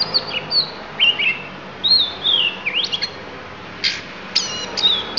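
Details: Isian phrases from a Lampung oriental magpie-robin: clear high whistled slurs, some falling and some sweeping up, then a harsh burst and bright ringing notes, with short gaps between phrases.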